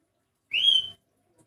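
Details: Unusual-voiced sooty-headed bulbul giving one drawn-out whistle that climbs steadily in pitch, clean and clear against silence.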